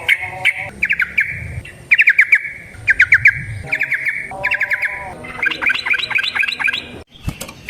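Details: Lure song of a yellow-vented bulbul, given to prompt other bulbuls to sing: short bursts of rapid stuttering chirps separated by pauses, ending in a quicker tumbling sequence, with a faint low hum beneath.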